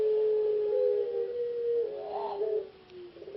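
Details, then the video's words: Indonesian competition ringneck dove, puter pelung type, from a P4SI semifinal in Yogyakarta. It sustains a mellow hooting coo for about two seconds, ending in a quick rolling warble and a trailing softer coo. "Burung Puter Pelung Lomba P4SI"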